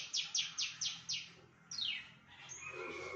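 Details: Javan bush lark singing loud, varied mimicry of birds such as prinias, canary, shrike and bulbul: five quick high downward-sweeping whistles, then a longer falling slur and softer trailing notes.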